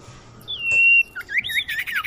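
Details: Common iora lure call for attracting birds: a drawn-out steady high whistle, then a burst of quick chattering, slurred notes.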